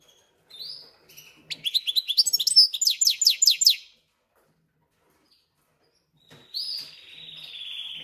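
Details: Goldfinch-canary hybrid singing in its cage after adapting within two or three days of arrival: about two seconds of sharp notes repeated in a fast trill, a pause, then a sustained buzzy high note.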